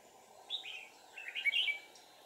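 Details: Red-whiskered bulbul decoy calling to wild birds: a downslurred whistle followed by a quick chattering warble, over a steady low hum.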